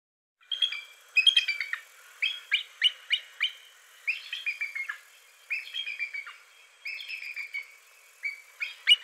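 A bald eagle gives high, thin chirping notes in quick stuttering bursts, repeated through the clip.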